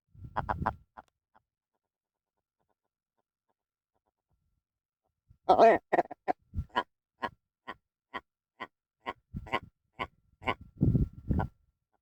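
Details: Wild red grouse defending territory on the north-east side of Kinder Scout, Peak District National Park, UK: a low croak, a pause, then a long series of short clipped notes spaced gradually wider apart, ending in a low rasping grumble.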